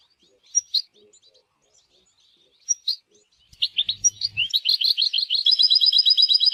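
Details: Goldfinch song in natural scenery: scattered soft twitters and two sharp notes, then an accelerating, jangling chatter settling into a rapid, even trill.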